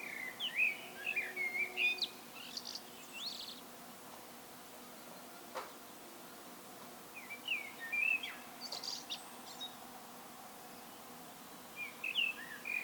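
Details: Solo song of a common blackbird, given as separate mellow, warbled phrases spaced a few seconds apart, each closing in squeaky, higher twitters, with quiet gaps of soft outdoor noise between.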